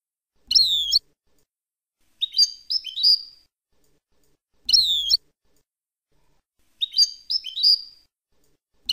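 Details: European goldfinch in the Palestinian song style, for tutoring young birds: a long descending whistle alternates with a rapid run of three to four rising chirps, the pattern heard twice, clean and quiet.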